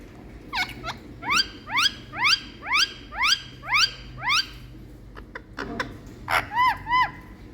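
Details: Indian parrot at home in India, showing love to its owner, repeats a rapid upward-sweeping harmonic squeak about seven times at an even pace, then two softer arching notes after a pause.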